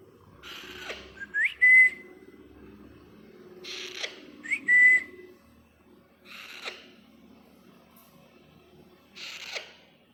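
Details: Baby Alexandrine parakeet, a pet Indian bird; four raspy screeches at irregular intervals, with clear rising whistles around two of them, in a quiet indoor room.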